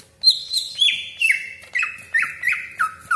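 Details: Greater green leafbird lure song: a high flat whistle followed by a series of downward-curving whistled notes, each repeated roughly once a second and stepping lower in pitch.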